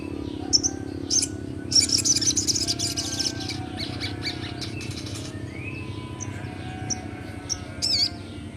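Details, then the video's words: Young sogon, a Crimson Sunbird, in ngleper-style song for prompting untrained birds: a burst of fast, high trilled chirping early on, then isolated sharp notes and a final short trill, low hum behind. "Burung Sogon muda Gacorr ful ngleper"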